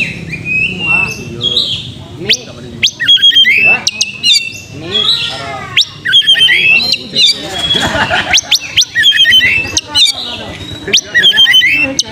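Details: Oriental magpie-robin song played to provoke a fighting mood and quick singing: a busy mix of sharp whistled upsweeps, scratchy chatter and repeated trilled notes, delivered almost continuously with brief gaps.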